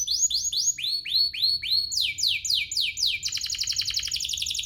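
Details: Domestic canary lure song to spur other canaries: a row of upward-curving whistled notes, descending buzzy sweeps, then a fast high rattling trill to the end.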